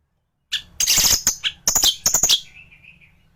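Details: Orange-headed thrush, a caged songbird in Indonesia, in full gacor song used as a master recording to tutor other thrushes: loud harsh chattering bursts and sharp high notes, ending in a thin fading whistle.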